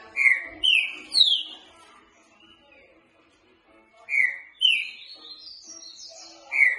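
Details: Boca mole singing by a green-winged saltator, meant for training: three falling whistles, a soft pause, then two more whistles trailing into thinner high notes.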